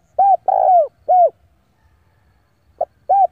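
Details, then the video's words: Decoy spotted dove calling rivals in to fight: a short coo, a long slurred coo, and a falling coo, a pause, then a clipped note and another coo beginning the next phrase. "tiếng chim cu gáy gọi bổi về cội để đấu của con chim cu gáy mồi giọng gáy hay cực chuẩn kích bổi"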